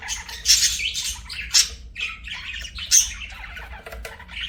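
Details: Budgies singing and chirping as pets: loud bright squawks at intervals over continuous buzzy warbling chatter, with rapid scratchy notes between.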